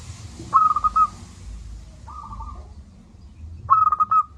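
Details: Local zebra dove singing strongly, used to coax lazy doves into calling: three coo phrases, two bright stuttered runs of rapid notes framing a softer smooth one, against a steady low hum.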